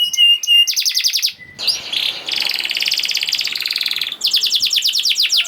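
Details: Canary singing in fast, tight 'gacor speed rapet' style, meant to prompt silent canaries to sing: high rapid trills, a brief dry buzzy passage, then long runs of quick repeated upslurred notes.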